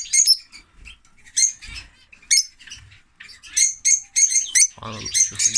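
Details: A male lovebird, its female lost after laying eggs in winter, utters sharp, piercing chirps in quick separate bursts, ending with a harsher, buzzy squawk.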